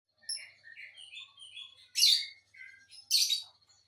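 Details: A matched pair of lovebirds chattering: a run of short, high squeaky chirps and twitters, broken twice by loud, harsh, rasping shrieks about a second apart.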